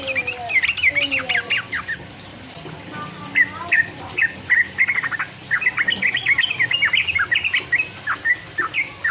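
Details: Sooty-headed bulbul singing rapid 'ropel uplik uplik' style song to provoke rivals: bursts of short whistled, bubbly notes around mid-high pitch, a brief pause after two seconds, then a long dense run of chattering phrases.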